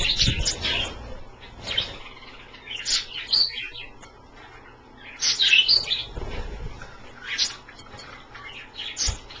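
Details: Pet Australian parrots kept indoors, bathing in a shallow dish of water kept a little below lukewarm; sharp high chirps and short squeaky calls come in bursts, with quieter gaps and faint splashing between.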